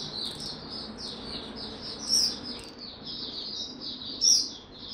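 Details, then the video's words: Oriental white-eye, a kept bird that slept late the night before, singing a continuous high-pitched warble of short slurred notes, with two sharper, louder bursts standing out over a faint low hum. "Mata Puteh Hercules V2 buka tiong aw sing"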